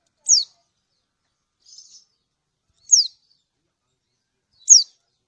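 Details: Lombok lemon-bellied white-eye hen calling to a male, used as a lure to prompt other birds to call: three loud, piercing, falling 'ciak' notes spaced irregularly, with one faint, short buzzy note between the first two.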